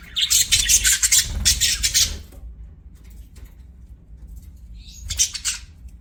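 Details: Budgerigar giving a loud two-second burst of harsh chattering chirps, a quiet gap, then another short chirping burst.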